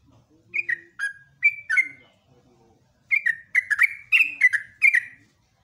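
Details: Yellow-vented bulbul singing ropelan in the morning: a few spaced liquid slurred notes, a short lull, then a fast run of six or so bubbly, descending whistles.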